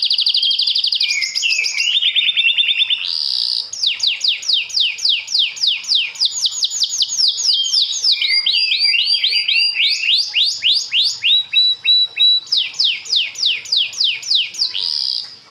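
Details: Canary singing in the lively 'gacor cengkok' style: a continuous, loud stream of high trills, buzzy rolls and rapid repeated chopped notes, shifting phrases every second or two, with brief sweeping whistles and no other sounds.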